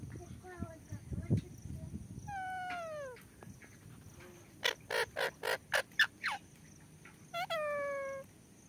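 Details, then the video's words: Alexandrine parakeet giving harsh, downslurred, nasal calls, plus a quick burst of about seven short, rasping pulses in the middle. A low background rumble and clatter run underneath. "Alexander parrot clear shound!! Beautiful Nature Parrot Talking"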